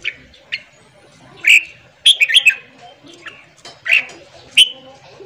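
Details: Captive red-whiskered bulbul morning song used to train a newly caught bird: scattered single whistles, then a quick run of several sharp slurred notes, with further isolated calls spaced about a second apart.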